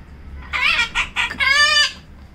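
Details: A female pet Yellow-collared macaw hiding in a cabinet gives three short, raspy, nasal notes followed by one longer drawn-out note, like a rooster's crow, in a quiet room.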